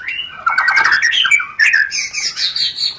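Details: White-rumped shama giving harsh, rapid rencetan chatter to stimulate mating: scratchy rattling notes giving way to higher buzzy whistled phrases.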